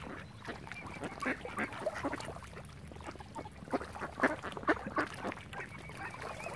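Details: Ducks crowding around swans on Lough Neagh, Oxford Island, Ireland, giving scattered raspy quacks that grow louder and denser toward the end, with a faint wavy whistle near the close.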